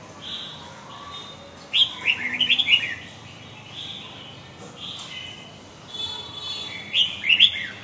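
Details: Red-whiskered bulbul of the Huế type singing: two bright, warbled phrases of quick rising and falling whistled notes, about a second each and roughly five seconds apart, with soft high hiss and quieter chirps between.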